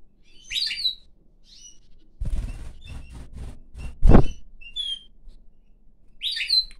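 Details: A pine grosbeak (Pinicola enucleator) sings while perched on a hand, then flies onto a person's head: bright, short chirping notes at the start and end, with a few thin high whistles between; heavy thumping handling noise fills the middle.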